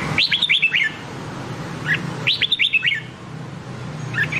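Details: Red-whiskered bulbul giving Nam Đông style song for voice training: two lively phrases of five or six sharp, descending whistled notes, about two seconds apart, with a short chirp between and another at the end.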